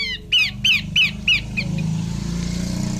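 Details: Female Horsfield's babbler uttering four rapid, harsh downslurred notes. The last notes fade and a steady engine drone takes over.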